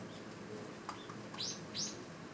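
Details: In winter, a Eurasian tree sparrow at a feeding spot, possibly among parents and young, gives two bright, downslurred chirps about a third of a second apart after a couple of faint ticks, over a soft hiss.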